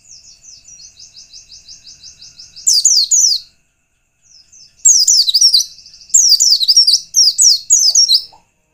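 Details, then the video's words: High, thin white-eye song used as a lure to provoke rivals: a quiet, rapid, repeated trill opens, followed by several loud, chattering, downslurred twitter bursts with brief silences between them. "pleci lain pasti ngalas bila mendengar pancingan pleci satu ini"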